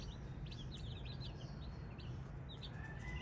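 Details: Baby chicken chicks chirping: many short, high peeps in quick clusters throughout, partly masked by a steady low rumble of background noise.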